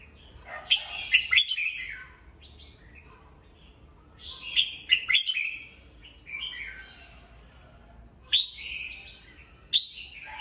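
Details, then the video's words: Morning song of a caged red-whiskered bulbul, used for voice training of other birds. Short, cheerful warbled phrases mixing slurred whistles and crisp clicking notes arrive at irregular intervals, five bursts in ten seconds, with a low background hum. "Chào mào hót sáng, luyện giọng chào mào"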